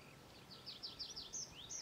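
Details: Red-backed shrike (Lanius collurio) calling at Ljubljana Marsh, Slovenia, on 11 June 2023: a quick run of thin, high chirps, five or six per second, some rising and some falling, over faint outdoor hiss.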